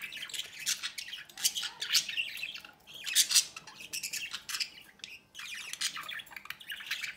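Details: Budgerigar parents feeding a chick at the nest entrance. Gravelly, buzzy begging squawks come in short bursts, with brief pauses between groups.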